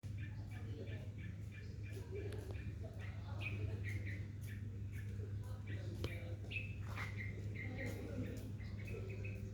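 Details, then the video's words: Bulbul calling: short, bright chirps repeated in loose runs, some rising and slurred, over a constant low droning hum and faint voices. "Bulbul bird call"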